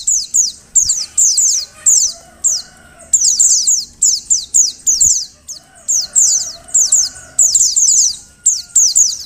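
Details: A female Oriental white-eye calls to set males singing: dense, steady bursts of high, downward-slurred squeaky notes, several per burst, repeating with short breaks throughout; faint mid-pitched background tones.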